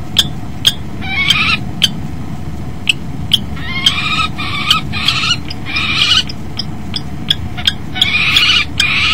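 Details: Male and female kestrel at a nest box at 09:13 in February 2012, copulation following the male's arrival; repeated bursts of grating, trembling calls alternate with crisp ticks, steady electrical hum underneath.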